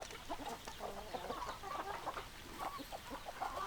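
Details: Chickens clucking in a flock, many overlapping short clucks and murmurs, steady busy chatter throughout with no single bird standing out.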